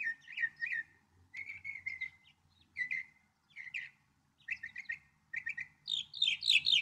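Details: Northern mockingbird delivering quick groups of repeated chirps, each phrase given two or three times before switching, ending in a louder, higher, jumbled burst; soft low rumble underneath.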